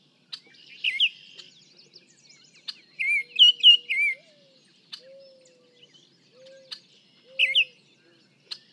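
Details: Baltimore Oriole heard from 55 feet away in a shotgun versus small and large parabolic microphone comparison; loud whistled, slurred phrases in bursts, separated by quiet gaps, with crisp clicks and a soft low steady hum.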